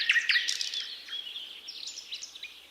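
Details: Thrush nightingale singing on 8 May 2022, its song powerful and varied: rich, dense phrases of chirps, buzzy notes and quick sliding whistles running continuously with no break.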